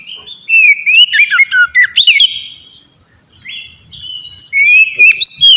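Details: Oriental magpie-robin song in ngeplong style, played as a lure for birds in training: a cluster of quick looping whistles, a soft lull of faint notes, then loud clear whistles return.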